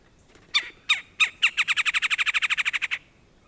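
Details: Red-bellied Woodpecker drumming, played as a backyard example: a few separate sharp taps, then a fast, even roll of about fifteen knocks over one and a half seconds before stopping.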